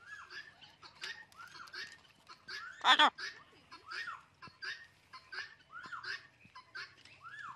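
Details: A pet blue-and-yellow macaw (Ara ararauna) having fun in a garden chatters in quick, squeaky, bending notes, several each second, broken midway by one loud, harsh squawk.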